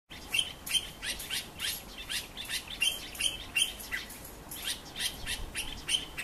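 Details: A bulbul's evening song: bright, high chirping notes, repeated quickly about two or three times a second over a soft background hiss.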